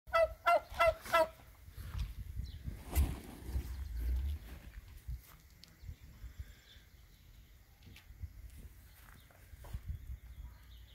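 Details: Angry turkey giving a rapid burst of harsh, stacked gobbling notes in the first second, then falling quiet, leaving low rumbling background noise for the rest of the recording.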